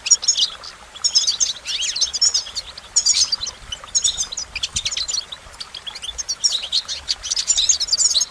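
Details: Goldfinch delivering phrases of high, rapid twittering with some rising and falling slurred notes, bursts coming every second or so amid quieter gaps.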